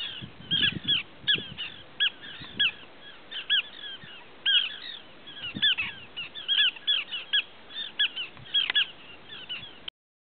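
Small Pratincoles give short, high, rattling tern-like notes, several per second from overlapping birds, in a steady chattering stream with faint low rumble beneath.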